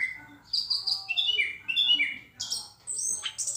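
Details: Orange-headed thrush singing loudly and clearly: varied whistled phrases with sliding notes and sharper high trills, delivered in quick bursts with short pauses between them.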